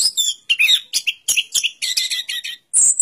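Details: Short burst of orange-headed thrush song: quick, varied slurred chirps and squeaky notes in rapid sequence, ending in a high buzzy note.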